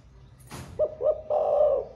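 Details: Spotted dove singing in the 'thổ pha' song style, said to coo all day: a sharp click, then two short low hooting notes and a longer drawn-out coo, all low and mellow.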